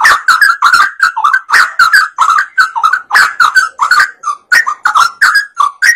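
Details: Actively singing sooty-headed bulbul, a lure recording meant to draw other birds into song: loud, rich chattering phrases of short bubbling notes, tightly repeated with brief gaps.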